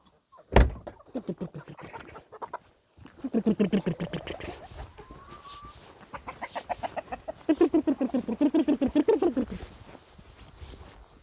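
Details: Chickens clucking in long trains of fast, repeated notes, nearly four per second. The notes bend downward, a sharp knock sounds near the start, and a faint thin whistle passes midway.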